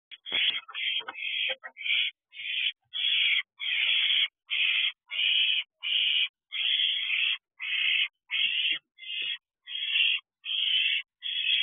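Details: Owlets at a nest box at night in late June while the mother brings food: harsh rasping hisses, each about half a second long, repeated steadily with short gaps, sometimes overlapping.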